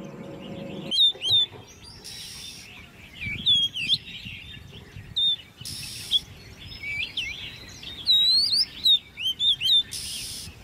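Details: Caged Oriental magpie-robin, ten months old and raised from a nestling, singing competitively. Varied clear whistles with slurred up and down notes come in clusters, broken by short bursts of broadband noise and a low hum early on.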